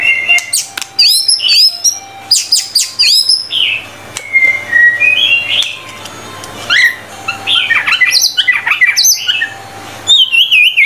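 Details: White-rumped shama in vigorous full song, a rich run of loud, clear whistled phrases: rising and falling slurs, quick upswept notes and a steady held whistle, with short pauses between bursts and a faint low hum beneath.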